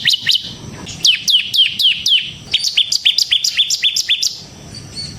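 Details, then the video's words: Bar-winged prinia, 'semi' type, singing 'ngebren' style for luring and tutoring training birds: a few sharp chips, then a run of downslurred notes, then quicker doubled high chirps before fading. "suara burung CIBLEK SEMI GACOR Ngebren"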